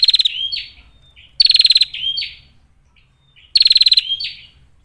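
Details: Clear call of a female bar-winged prinia, used to provoke other prinias into singing. Three rapid buzzy pulse trains, each trailed by a drooping slurred whistle, separated by gaps of about two seconds.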